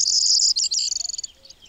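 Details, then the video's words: Corn bunting (Emberiza calandra) song, Audierne Bay, Finistère, Brittany, France, late April–early May 2022: a high, dry jangling, buzzy glassy rattle breaking into quick stuttering notes before fading, like shaken keys. "BRUANT PROYER (Emberiza calandra) Chant"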